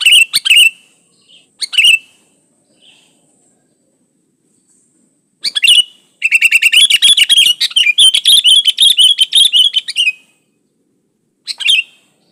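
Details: Sooty-headed bulbul singing vigorously, pure song without other birds' phrases mixed in, used as a lure to set other bulbuls singing: short bubbly whistled phrases, then a long rapid chattering run of repeated notes for about four seconds, another phrase after a pause.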